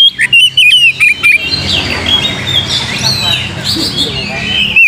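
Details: Oriental magpie-robin singing, used as a lure to make another bird sing. Clear piercing whistled notes repeat rapidly at the start and return at the end, with a busy chorus of other small birds between them.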